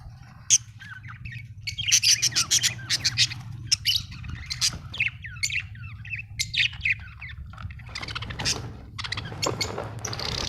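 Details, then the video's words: Budgerigars chatter busily in rapid, squeaky chirps and scratchy warbles that run almost without pause over a steady low hum, turning into a louder rasping burst at the close. "Australian beautiful birds sound 😍 budgie chirping sound 🥰"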